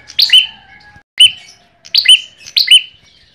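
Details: Ashy tailorbird used as a lure sound: four sharp, piercing chirps, several with a quick double-stroke, each dropping in pitch with a glinting high overtone, spaced less than a second apart against a near-silent background.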